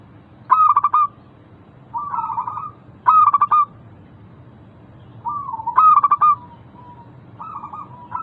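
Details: Lure song of a local zebra dove, aimed at doves that are slow to sing. Loud stuttering pulse bursts alternate with softer wavering trilled coos, several phrases in quick succession, over a quiet low background.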